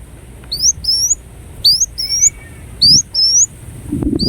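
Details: Ruby-cheeked sunbird (kolibri wulung) singing short high rising whistles, mostly in pairs, a little under one per second, in a fairly quiet setting with faint low noise.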